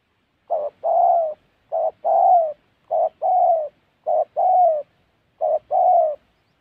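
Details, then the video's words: Spotted dove recorded while being trapped in the Central Highlands forests of Gia Lai, Vietnam. Five steady paired coos come roughly every 1.2 seconds, each a quick soft note leading into a longer descending hoot. No other sounds. "Bẩy Cu Gáy"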